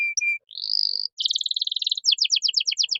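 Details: Caged canary in cengkok mewah song, recorded as a master for young birds: a short flat whistle, a chirp, a long warbling tone, a dense buzzy roll, then a rhythmic run of doubled high notes about ten per second.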